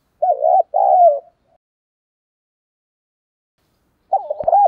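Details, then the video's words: Decoy spotted dove cooing to lure wild doves: two short low warbled coos in quick succession, a long pause, then another coo with a click; otherwise silent. "Chim Cu Mồi Đủ Bài Giọng to rõ mở lên bổi và mồi gáy theo cả ngày"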